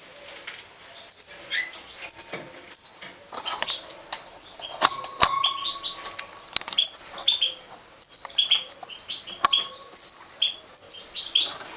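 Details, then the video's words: Feeding time for European goldfinches in a breeding setup: bursts of high, thin, insistent chirps repeated roughly every second, interspersed with clicks, taps and one brief whistled tone. "Stieglitz Major Fütterung"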